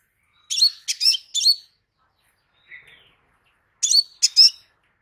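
Crimson sunbird giving three sharp, high, chippy notes, a short pause with one faint note, then two more quick bright chirps; no other sounds.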